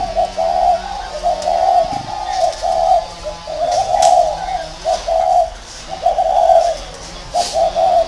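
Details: Decoy spotted dove calling from a round cage in Vietnam. It gives soft, low cooing phrases, repeated roughly once a second with short pauses, over a faint room hum.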